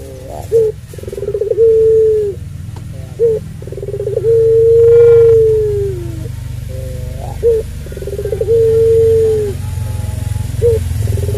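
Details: Puter pelung dove giving its long drawn-out call, used to provoke and train other doves. Steady low cooing notes, each held one to two seconds, with short rising lead-in notes and a low rumbling background.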